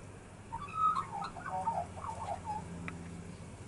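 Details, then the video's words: Magpies singing, one with a crippled leg: a soft, mid-pitched warbling phrase of slurred, shifting notes over a steady low hum. "Magpies singing"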